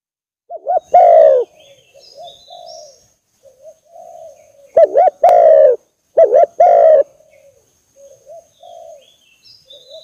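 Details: Spotted dove lure call used to attract birds: loud two-part coos, a short wavering note then a long steady one, in three phrases, with softer quieter coos between and faint high chirps of other birds.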